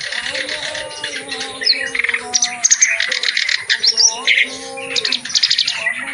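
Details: Clamorous reed warbler singing vigorously through its full repertoire, recorded as tutor material for birds reluctant to sing. Choppy rattles alternate with thin rising whistles and scratchy notes in an unbroken, busy stream.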